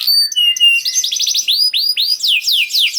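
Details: Canary song used to prompt silent canaries to sing: high clear whistled notes and rapid downward-sweeping slurred syllables repeated in quick series, bright and continuous.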